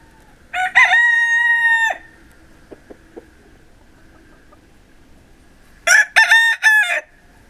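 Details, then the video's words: Two crows from Pavlovskaya roosters in Barnaul, Siberian Altai, in winter, November 28, 2015: a long, drawn-out harsh crow, a few soft clucks, then a second choppier three-part cock-a-doodle-doo. "PAVLOVSKIE ROOSTERS SING Kukareko Поют Павловские Петухи"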